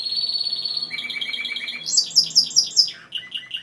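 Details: Timbrado canary song built from rapid trilled tours. A high buzzy roll drops to a lower rattling series, then bright descending whistled notes repeat about five times before a short, lower trill.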